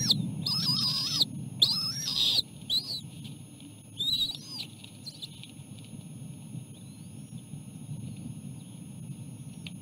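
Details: Osprey at a nest during feeding of chicks on a small fish. A few high, sharp whistled chirps at the start, then a low steady background hum.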